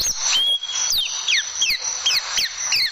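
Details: Oriental white-eye notes from a caged-bird tutoring recording: a sharp high whistle, then short downward-slurred chirps repeated roughly three times a second, each bright and clean.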